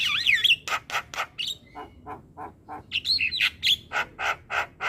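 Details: Black-winged myna masteran song for teaching young mynas: a wavy whistle opens, then a series of harsh rasping bursts repeated about four per second, mixed with short whistled notes.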